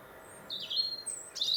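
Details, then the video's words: A winter European robin sings in Warwickshire, England, by the Monarch's Way: a wavering high whistle sliding down, a very high thin note, then a fast sparkling trill. "British Winter Robin Birdsong"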